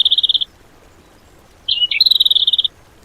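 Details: Song material for training cage birds: a short, rapid, high trill, a pause, then a sharp dipping note leading into a longer run of quick, evenly repeated high notes.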